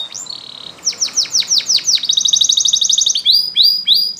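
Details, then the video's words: Canary training song: a soft buzzy note, then six loud descending sweeps. A fast rolling trill follows and the song closes with repeated upward-hooked whistles, over a faint background hiss. "Canary's Most Powerful For Training"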